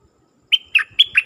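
After half a second of quiet, a dok taeng bird sings four quick, bright whistled notes linked by a thin steady tone, about four notes per second.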